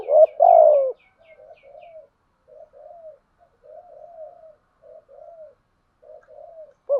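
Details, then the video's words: Spotted dove cooing as a lure for training captive doves: one loud, drawn-out falling coo at the start, followed by a long run of quiet, soft murmured coos and a final loud note at the end. "Tiếng chim cu gáy mồi giọng lôi cuốn hấp dẫn đủ bài[ THÚC GÙ , GÁY GỌI ]"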